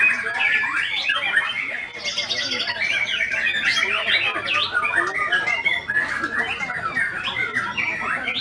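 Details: A white-rumped shama sings a varied, crowded phrase of sharp chirps, buzzy snatches and sliding whistles, fast and unbroken throughout.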